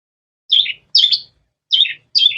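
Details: Long-tailed shrike giving four sharp, slightly buzzy chirps, each dropping in pitch, in two pairs with a short pause between them.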